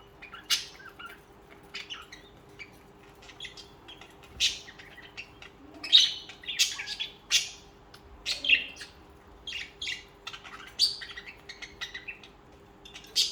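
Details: Pet budgerigars singing and chirping; lively warbled chatter of buzzy and whistled high notes in quick irregular bursts, with a faint hum behind.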